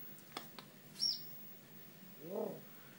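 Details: Pet African grey parrot giving small, very soft calls to show it wants to go out: two faint clicks, a thin high whistle that dips, then a quiet, short, throaty call near the end.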